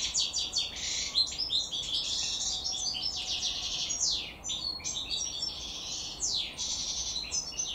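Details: European goldfinch, known locally as maknin or hassoun, bred naturally. It sings a continuous, rapid, high twittering song of tinkling notes, buzzy bursts and quick downward sweeps. A steady hiss runs underneath.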